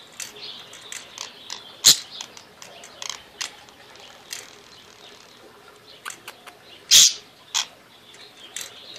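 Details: A pet parakeet, a female, plays with a new bird toy, chattering in quick, high chirps and clicks, with two louder sharp squawks standing out among softer twittering.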